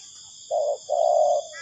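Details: Spotted dove call used as a trapping lure: one short mellow coo, then a longer level hooting note, heard over a constant shrill insect hum.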